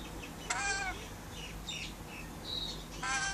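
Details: A pet rainbow lorikeet out on the verandah gives two grating, broadband screeches about two and a half seconds apart, talking to outside birds. Softer whistles and chirps from other birds sound in between.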